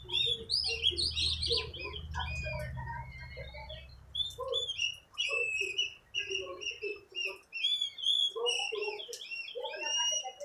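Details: Oriental magpie-robin, newly bought, singing energetically during training: quick sequences of high whistles and slurred notes with scattered lower chirps. A low hum fills the first few seconds.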